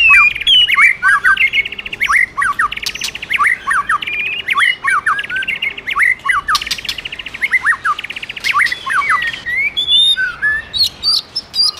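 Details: Caged white-rumped shama in full song, stimulated by a female: varied loud whistled phrases, sharp rising and falling notes mixed with rapid buzzy trills and harsh clicks, delivered almost continuously.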